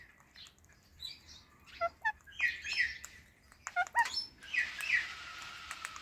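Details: Pet Indian ringneck parakeet, kept alongside an Alexandrine parakeet, making happy sounds while eating guava: short, bright, harmonic chirps and squeaks in scattered pairs and clusters, with soft clicks and rustling between calls in a quiet indoor setting.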